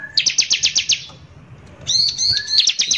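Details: Bar-winged prinia singing vigorously in the rough 'nembak kasar' style, used as a lure to provoke other prinias: a fast burst of sharp, high, evenly spaced chips, a pause, then a brief rising whistle and ringing high notes.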